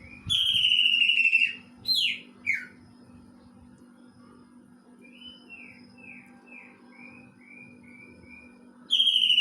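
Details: Greater green leafbird song imitating a kingfisher: long, loud whistled notes sliding downward, a couple of sharp falling slurs, then a soft run of short rising chirps before another strong whistled phrase; a low steady hum underneath.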